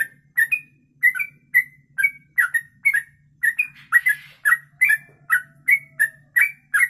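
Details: Sooty-headed bulbul (trucuk) singing a long rapid 'kongslet ropelan' style song, suitable as a tutor recording: bright whistled two-part notes with quick upward slurs, repeated about twice a second, a soft low hum underneath.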